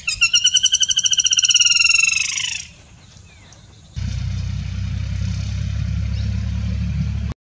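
A flameback woodpecker gives a fast, harsh, rattling trill of about two and a half seconds that drops slightly in pitch, followed by a steady low rumble of traffic.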